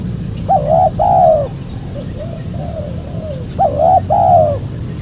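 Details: Spotted dove lure recording: two phrases, each a short coo and a longer falling coo followed by quiet lower notes, with a soft steady hum in the background.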